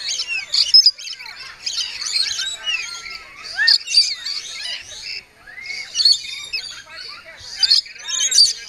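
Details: Several lorikeets squabbling while a woman feeds them and tries to keep the peace; dense, shrill, overlapping screeches and chirps in rapid bursts, with a brief lull around the middle before the racket resumes.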